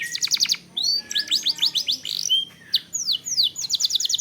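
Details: Canary song played to provoke singing: rapid trill bursts, quick stuttering upslurred whistles, brief pauses, then falling sweeps and a closing high trill.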